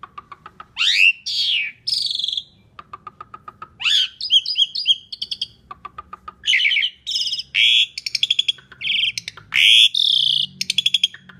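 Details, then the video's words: Asian pied starling song used as a lure for other birds: loud, varied phrases of rising whistles, buzzy bursts and rapid clicking trills, with bright harsh notes and short pauses between phrases. "Kicau Jalak Suren Gacor Paling Nyaring - Durasi Panjang ISIAN FULL ROLL cocok untuk PANCINGAN"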